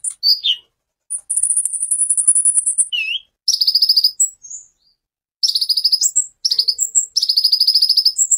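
A sunbird sings very high, rapid buzzy trills and sharp bursts of repeated notes in quick phrases, with short pauses between them and no other sounds.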